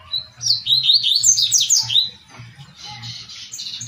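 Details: Double-collared seedeater in the "tui tui" song style, used for training captive birds. A bright, rapid twittering phrase of high slurred notes, then softer chirps, over a faint low rumble.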